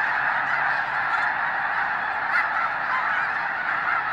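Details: A huge flock of snow geese at the Hayton Snow Goose Reserve, Skagit Wildlife Area, near Conway, Washington, calls all at once, a steady roaring din of high, nasal honks with no pauses.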